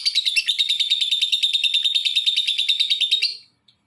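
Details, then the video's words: Lovebird calling to provoke other lovebirds into calling; a fast, rapid run of high chattering notes, about three per second, held steady for over three seconds before stopping abruptly. "Suaranya Memancing Labet lain Ikut Bunyi"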